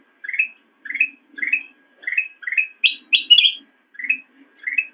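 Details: Black-crested bulbul song used as master training material for cage birds, a steady run of short upslurred whistled chirps about twice a second, broken midway by three louder, higher clustered notes; soft low background hum.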